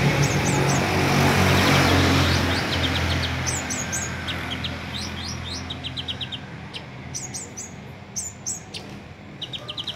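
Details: Sunbird of the type called ninja, in the bearded singing style, used to lure other sunbirds into song. High, thin, rapid twittering chirps come in quick runs, at first over loud rumbling background noise that later fades.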